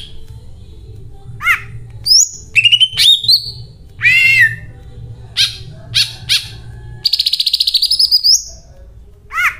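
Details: Greater green leafbird song with 'isian cililin' fill: varied loud notes, mixing hooked downslurred chips, high upslurred whistles, a quick rattling trill near the end and a buzzy sustained phrase, over a soft low background hum.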